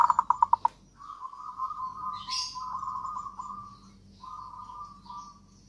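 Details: Zebra dove; song; lure to prompt silent caged doves to sing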